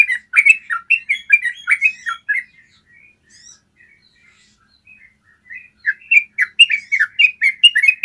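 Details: Yellow-vented bulbul with a clear-voiced long 'ropel' trill, used to train caged bulbuls. Quick warbled, chuckling notes in a burst, a quiet stretch of sparse soft notes, then another lively bubbling run.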